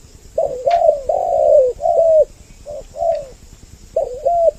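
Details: Spotted dove coos from a double-voice lure for attracting both sexes: a few deep, drawn-out rolling notes followed by a quiet gap, then short clipped coos. A brief knock stands out early, over a faint steady hiss.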